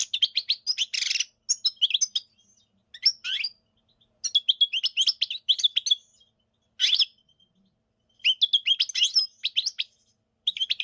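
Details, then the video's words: European goldfinch singing, likely a trained bird: bursts of rapid twittering and chirping notes interspersed with buzzy, harsh elements, delivered in phrases of about one to two seconds separated by short pauses, with no other sounds heard. "GOLDFINCH Chirping sounds"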